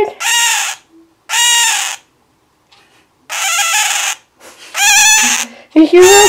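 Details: Male scarlet-chested parakeet, a pet with its mate nearby, giving loud harsh crying calls, long rasping squawks repeated about once a second with gaps; it does this regularly. Brief soft human speech between calls.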